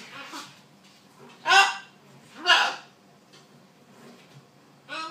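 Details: Talking macaw parrot giving harsh, raspy, speech-like squawks: two loud bursts about a second apart in the middle, softer ones at the start and end, with quiet pauses between.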